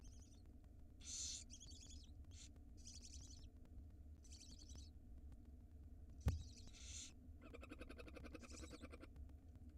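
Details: Tiny barn owl nestlings begging at feeding time, nest box in Israel, spring 2022: a run of short harsh hisses of varying length, one sharp knock, then a fast buzzing chitter near the end.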